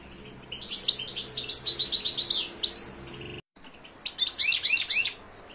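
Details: European goldfinch in silvestrismo context: dense, fast twittering song with tinkling, slurred notes, briefly cut by a moment of silence before another lively burst.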